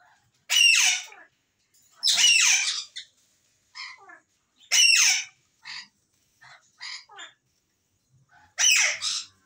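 An African grey parrot gives harsh, raspy, speech-like bursts about every two seconds, with shorter clipped syllables in between. Nothing else is heard.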